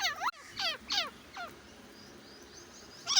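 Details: Grey francolin (desi teetar) calling: three loud, harsh notes with stacked harmonics, each sweeping down, packed into the first second, then a quieter pause before another note starts at the end.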